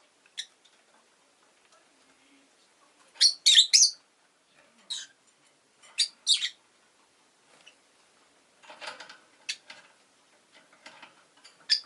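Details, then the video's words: A Rosy-faced lovebird (Agapornis roseicollis) gives sharp, high, shrill chirps in short bursts, some doubled, with quieter scratchy twittering between them; town noise may be present. "Lovebird Chirping Sounds"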